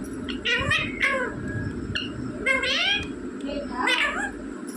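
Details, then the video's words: Talking rose-ringed parakeet kept indoors, saying mummy and papa: scratchy, nasal harmonic syllables in pairs and short phrases, separated by pauses, over a murmur of background music. "बोलने वाला तोता मम्मी पापा बोलने वाला तोता"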